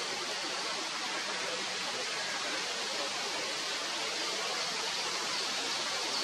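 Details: Steady broadband rushing like a stream or waterfall fills the whole recording, with no animal calls standing out.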